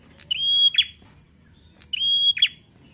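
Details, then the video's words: Bar-winged prinia in full song repeats a high phrase twice, about 1.6 seconds apart: a sharp note, a long level whistle, then quick falling chips, against a quiet background. "Suara prenjak Gacor ngalun"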